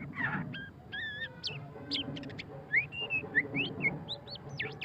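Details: White-rumped shama of the pastol type singing ngeriwik: steady held whistles, quick sharp chips and a lively series of rising, looping whistled notes toward the end.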